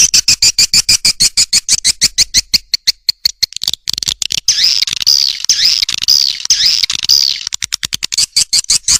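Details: Swiftlet lure call, Vĩnh Châu outdoor style (SP. Âm Ngoài), meant to call swiftlets in. A fast run of sharp clicks about twice a second leads into high, wavering chirps, then the clicks return.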